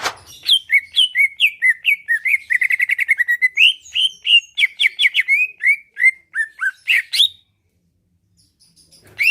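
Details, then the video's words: Greater green leafbird, a caged songbird kept for singing, in Pasuruan, Indonesia, singing loud and energetic to provoke rivals into replying and fighting: a fast run of clear whistled and slurred notes, some rapid trilled bursts, then silence. "Cucak ijo lain liat dan dengar kicauannya bakal nyaut+gacor+tarung"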